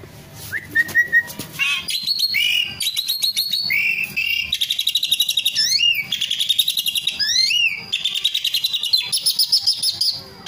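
Asian pied starling in a long, varied song of whistles, rising slurs, harsh chatter and rapid rattling trills, delivered continuously without pause.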